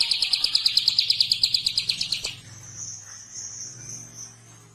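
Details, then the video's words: Prinia calling its companions: a fast burst of high, strident repeated notes for about two seconds, fading into a faint high continuous hum. "PRENJAK GACOR MEMANGGIL KAWAN"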